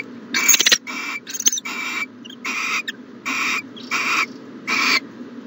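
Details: Owl at its nest box in the morning, dated 1-14-20, giving harsh, broadband, hissing bursts of about half a second, repeated roughly every 0.7 seconds, seven in all, over a low steady background hum.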